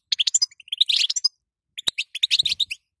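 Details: European goldfinch hen giving calls to stir a male into song: dense runs of sharp, high, tinkling chirps, broken by one loud click and a brief pause before more twittering.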